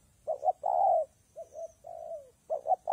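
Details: Spotted dove calling during rain and wind: two short coos, a long swelling note, then softer notes and a slurred descending coo, and the pattern starting again.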